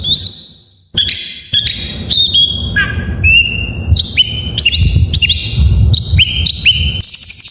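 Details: White-rumped shama full 'isian' song meant to coax silent shamas into singing: separate clear whistled notes and upward-sweeping phrases at varied pitches, some buzzy, repeated roughly every half second, over a steady low rumble.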